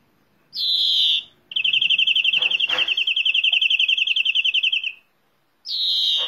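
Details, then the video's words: Greenfinch singing a drawn-out nasal wheeze, then a long, fast trill of evenly repeated notes for over three seconds, closing with another wheezy buzz; a soft knock sounds in the middle of the trill. "Greenfinch Song"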